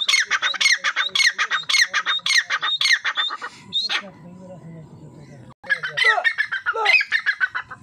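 Grey francolin giving harsh, ringing, rapidly repeated calls, about two a second, broken by a brief lower, murmuring pause before the loud series resumes.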